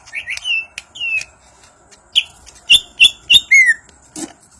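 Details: Greater green leafbird, Banyuwangi type, singing ngentrok njambul: spaced whistled slurs near mid-high pitch, several sharp chip notes in quick succession, and a final falling whistle with a click.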